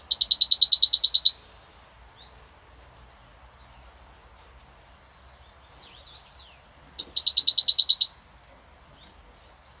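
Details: Yellowhammer singing on 26 May 2026. One full phrase of fast, evenly repeated shrill notes ends in a sustained thin note. After a quiet pause with faint twittering from other birds, a second run of repeated notes begins.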